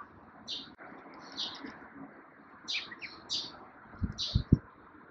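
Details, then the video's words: A brown-eared bulbul at a veranda bird feeder, April 2020, gives short, shrill chirps in loose bursts over about five seconds, with low thumps and background rumble. "ひよどり食堂のお客さんアレレの巻。part ４ ☆Hiyodori restaurant customers 15 ☆ ひよどり食堂 その１５ ☆ Arele reel (鳥の声有り・BGM無し）"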